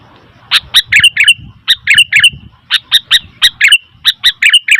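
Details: Sooty-headed bulbul chattering noisily, with a fast uneven series of bright, liquid, bouncing chirps running almost continuously through the recording.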